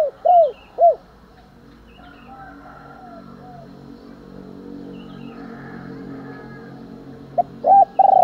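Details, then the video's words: Spotted dove cooing to provoke fighting and in morning calling: two loud arched mid-pitched coos open the passage. A long quiet stretch with faint hum follows, then a closing burst of similar coos. "cu gáy thúc đấu, và gáy gọi buổi sáng"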